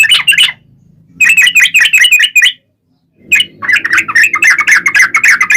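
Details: Sooty-headed bulbul giving long rapid rolling song, used as a lure to get other bulbuls to answer. Two dense bursts of fast chattering whistled notes are split by a short pause, over a faint low hum.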